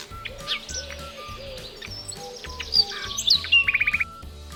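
A nightingale sings varied high whistles and sweeping notes, ending in a fast burst of about seven sharp repeated notes, over soft rhythmic background music.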